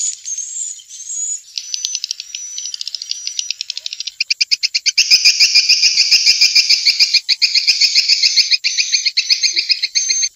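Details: Swiftlet calls from Vietnam, played to draw swiftlets to bird houses: thin high whistles at first, then a loud rapid run of buzzy chirps repeated several times a second, with brief breaks.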